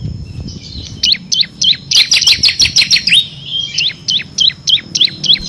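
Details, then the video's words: Bar-winged prinia in 'ngebren' full-song style with six variations, kept as a master recording for competition birds: rapid, steady run of sharp, high, slurred chirps, a quicker cluster midway, then evenly repeated notes to the end. "FULL NGEBREN‼️ CIBLEK KRISTAL GACOR ISIAN 6 VARIASI"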